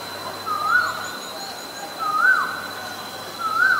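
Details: Asian koel, recorded for its male and female voices: three clear, upward-sweeping whistled notes repeated roughly every one and a half seconds, with a constant thin high drone behind them.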